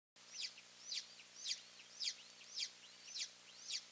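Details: Golden eagle calling at a nest in Finland on May 3, 2024, where two eaglets are kept and both parents visit. Seven high, sharp chirping notes fall in pitch and repeat about every half second. A faint low hum runs underneath.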